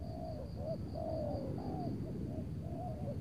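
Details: Wild spotted dove being lured by a decoy on a cloudy afternoon before rain in Tangerang. Short curled coos alternate with a drawn-out sliding note, with a pulsing high insect buzz throughout.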